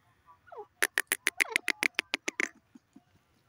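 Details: Grey francolin giving a rapid run of about a dozen loud, sharp, evenly spaced notes after a soft slurred introductory note.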